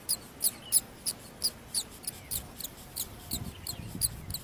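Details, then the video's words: Young mynas begging in the nest as they are fed: a steady series of brief, piercing high squeaks about three per second, with soft low rustling underneath. "Beautiful Myna Feeding Little Chicks in Nest"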